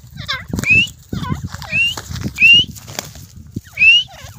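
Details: Desi teetar (grey francolin) in a fight, giving four loud, clear, rising whistled notes roughly one second apart over a low, murmuring background.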